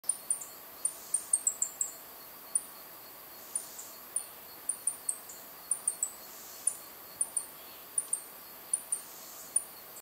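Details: A Slate-throated redstart fledgling begging for food in Montecristo National Park, El Salvador, on 22 June 2011, gives very high, thin, sharp tsip notes, two or three a second in uneven bursts, over a faint background hiss.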